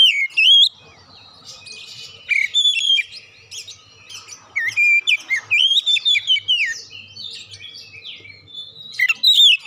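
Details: Oriental magpie-robin singing a lure song meant to get birds singing: a rich, varied stream of loud whistled phrases, slurred rising and falling notes and sharp chirps, broken by brief pauses, with faint low hum behind.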